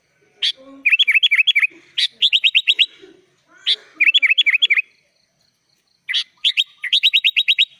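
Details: Sooty-headed bulbul (kutilang) singing in gacor full isian style, filled with other birds' phrases: four phrases, each a sharp opening note followed by a fast, even trill of about eight looping whistled notes, with short gaps between phrases.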